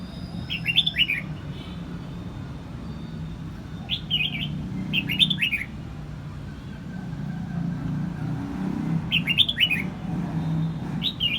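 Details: Vietnamese red-whiskered bulbul from Quang Nam repeats brief chirpy two- and three-note phrases every few seconds, partly masked by a loud low traffic-like rumble running through the recording.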